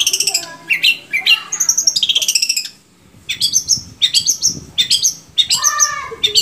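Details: Captive Indonesian long-tailed shrike pouring out a varied song of rapid scratchy chatters, clear whistled slurs and buzzy rattles with brief pauses between phrases.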